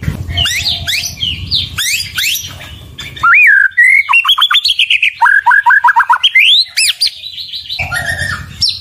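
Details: Murai batu, the white-rumped shama, singing to rouse rival birds: scratchy high flourishes give way to loud clear looping whistles and a rapid string of repeated downslurred notes, with a low background hum.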